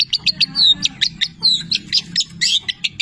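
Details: Long-tailed shrike, 'petir' type, in a tutor recording whose song is filled with mimicked labet and canary phrases: a rapid run of high chirps and short slurred whistles, densely packed, one after another.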